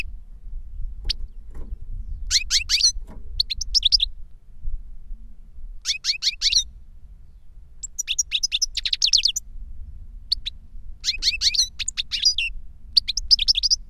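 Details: Goldfinches in cages, a tutor bird and the young bird it taught, singing: bursts of high rapid twittering and trilled chirps every few seconds, separated by quieter stretches with low background rumble and a few clicks.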